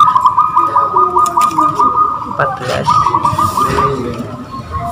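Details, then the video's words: A local zebra dove, chosen for song competition and hung up on a pole at the contest field, gives fast runs of short, soft staccato cooing notes on a steady pitch in two rolling phrases, with men talking throughout. "Memilih perkutut lokal untuk lomba kelas gacoran"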